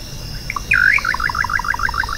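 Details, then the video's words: Little nightjar (bacurau-chintã) giving one song phrase: a swooping upslurred note followed by a quick, bouncing series of short repeated notes. A constant high insect hum runs underneath. "O Canto do BACURAU CHINTÃ (Hydropsalis Parvula) Bird Song - Little Nightjar"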